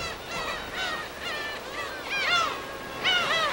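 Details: Gulls calling at a natural colony on an uninhabited West Sea island off Korea, field recording: a steady chorus of drawn-out, downward-bending nasal cries, roughly one per second, with softer birds calling behind.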